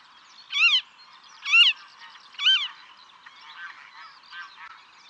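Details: Western marsh harrier (Circus aeruginosus) call: three loud, nasal, squealing calls about a second apart, each rising then falling, followed by softer, thinner calls.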